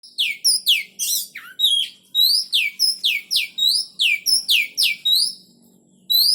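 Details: Caged oriental magpie-robins during pairing for breeding, kept in box or hanging cages; sharp, high downslurred notes repeated rapidly about twice a second, with a short lower slurred note partway through and a faint low hum beneath.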